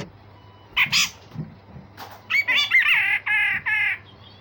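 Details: Grey-cheeked bulbul, a captive songbird kept as a vocal tutor for training other songbirds, delivering harsh rasping notes followed by a run of loud, sharp repeated chattering phrases with a faint low hum behind.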